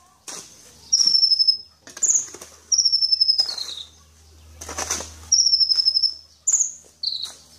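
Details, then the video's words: Kolibri ninja sunbird giving a series of piercing, high-pitched trills and brief sliding whistles, each phrase separated by short gaps, with faint low rumbling in the background. "Suara burung kolibri sang juara"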